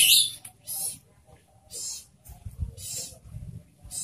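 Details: Kept spotted owlet producing rough, breathy screeching bursts, one loud burst opening the sequence and several softer harsh notes following at irregular intervals, with a low rumble underneath.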